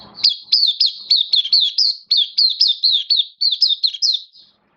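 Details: Oriental white-eye kept as a hobby songbird, 11 September 2022, form dipped a little: a clean, continuous run of about twenty high, quickly falling slurred notes, delivered roughly four per second with almost no background noise.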